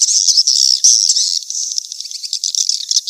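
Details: Swiftlet calls used as a mating lure: continuous high buzzy twittering, loud at first and softer toward the end, with rattling texture.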